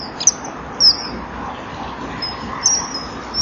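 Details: Male and female common kingfisher at a breeding-wall camera, 18 April 2013 at 17:39, calling to each other before mating; three or four brief, thin, high whistles spaced irregularly over a steady low background hiss.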